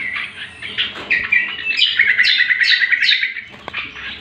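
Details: Training song of a greater green leafbird: mixed chirps leading into a quick run of buzzy trilled notes under bright rising slurs, ending in a scratchy phrase.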